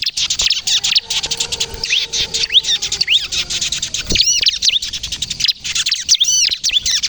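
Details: Energetic kejepit-style song of a bar-winged prinia, or ciblek kristal, kept for luring and to prompt raw birds into song: busy high twittering with scattered looping notes, plus a faint steady low hum in the background.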